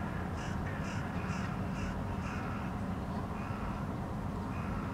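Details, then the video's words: Several wild Hooded Crows (Corvus corone cornix) perched on a rooftop in Helsinki, Finland, in August, watching their surroundings. A quick run of five harsh caws about half a second apart is followed by fainter calls, over a steady low rumble of city noise. "Hooded Crows standing on the rooftop; observing their environment, vocalizing"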